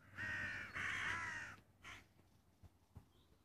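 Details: Crow recorded 25 June 2017, uttering two long, grating caws run almost together, followed by a shorter, softer caw and a few faint clicks over a low hum.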